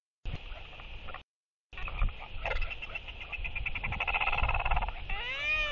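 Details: Northern royal albatross, one of four birds socializing at early evening on 23 October 2023, giving courtship displays with sky calls, bill clapping and yapping; rapid harsh pulsed notes in a stuttering series, then drawn-out wavering nasal calls, over steady wind rumble.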